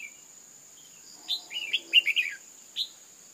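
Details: Female red-whiskered bulbul calling to stir up males, giving a lively run of five or six quick, liquid, downslurred chirps, then one isolated note, with a constant thin high tone in the background.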